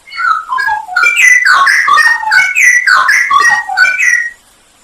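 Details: Straw-headed bulbul singing on a masteran used to tutor cage songbirds, isian nembak style: a continuous four-second stream of loud, bubbly, fluty whistles with descending slurs and bright ringing notes.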